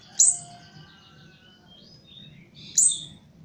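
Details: Captive Javan chestnut-capped thrush kept for training, giving two sharp, high chirps about two and a half seconds apart, each trailing into thin whistled tones, over a low steady hum.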